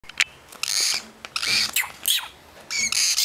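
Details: Baby lovebirds from a second clutch, raised as pets, giving harsh, raspy hissing bursts in short runs with brief gaps, plus a few thin high chirps between them.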